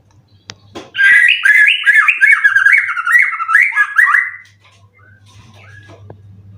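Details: Contest-winning caged white-rumped shama, three moults old, ready to compete again: a sharp click, then a loud four-second run of looping, downward-stepping warbles, and a faint hum afterwards.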